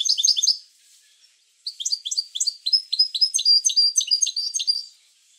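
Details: Goldfinch song played to encourage other goldfinches to sing: a short high twitter, a pause, then a long fast run of liquid, tinkling notes repeated several times a second.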